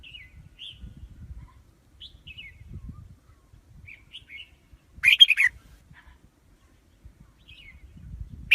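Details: Red-whiskered bulbul used as a lure bird for trapping wild birds: a loud burst of warbled, chattering notes around the fifth second, with a few soft whistled chirps scattered before and after; faint low rumble underneath.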